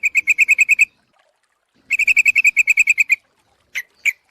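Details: Lure recording of a yellow-vented bulbul: two fast, even runs of ringing chatter notes, the second longer, followed by three separate lower, sharper notes.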